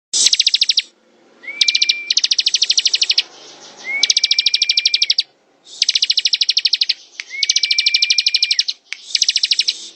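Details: Bar-winged prinia (ciblek) singing in the ngebren style: roughly one-second bursts of rapid, buzzy, evenly pulsed high notes, three of them with a steady whistled tone rising in at the start, separated by brief pauses.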